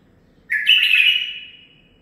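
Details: Song of a 9-month-old male bulbul, a single rich warbled phrase of about one second, bright and slightly descending at the end, in a quiet room.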